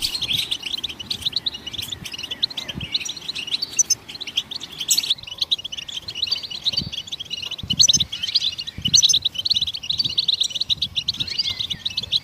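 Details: Steady goldfinch twittering sung to get other songbirds singing, high rapid chirps and trills running on with small gaps, over faint low bumps.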